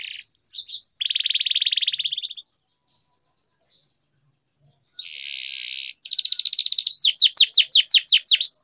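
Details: Canary song used as a tutor for training young canaries, in the long rolling 'ngerol panjang' style: fast high trills and a sustained buzzy roll, a short near-silent gap, then a bright buzz and rapid descending sweeps repeated about three per second.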